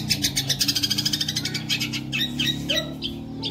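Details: Energetic long-tailed shrike singing masteran fill-ins: a fast stutter of rapid repeated notes for over a second, then scattered harsher calls, against a persistent low droning hum.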